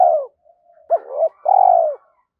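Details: Spotted dove calling as a lure bird in the thổ pha thúc style. A falling coo tail opens, then soft low hums, then a hooked note, a swelling coo and a long, trembling, downward-curving coo.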